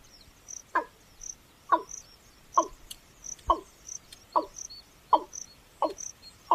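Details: Watercock, breeding male giving liquid gulps compared to a water bottle emptying: evenly spaced low hollow notes, about one each second, with faint higher chirps between them.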